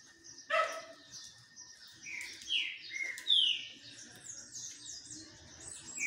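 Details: Green-winged saltator singing in the sun, giving several falling whistles mid-clip against a noisier background with a sharp low-pitched sound near the start.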